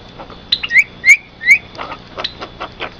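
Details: Javan myna song for luring other mynas and tutoring kept birds. Three clear rising slurred whistles, then softer scratchy notes, over a faint steady high tone.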